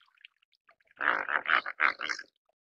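Dalmatian pelican giving a harsh, gargling grunt in four quick throaty pulses over about a second, with faint small chirps just before.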